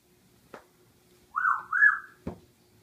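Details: Pet male military macaw indoors, excited by bathroom towels: a smooth, mellow two-part tonal coo lasting under a second and rising slightly at the end, framed by two sharp knocks in a quiet small room.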